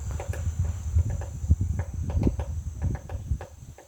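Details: Woodpecker hammering on a butterfly house, close and loud: dull, hollow wooden taps come in irregular bunches throughout, with a faint high cricket-like hum behind.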